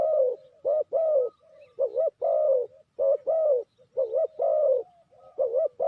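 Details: Spotted dove kept as a trapping lure, cooing loudly and without a break: rough, husky coo notes, several with a wavering rise and fall, come in uneven bursts about twice a second. No other clear sounds.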